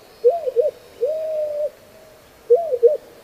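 White-crowned Pigeon cooing: low, hollow phrases, a two-part rising-falling coo, a longer drawn-out coo, then the double coo again, slow and deliberate.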